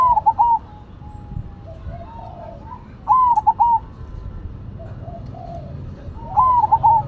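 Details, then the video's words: Cemani and Silver zebra doves in full song: gentle rolling coo phrases, a rising note then two or three quick lower coos, repeating roughly every three seconds over quieter background cooing. "Perkutut Cemani Gacor Vs Silver Gacor"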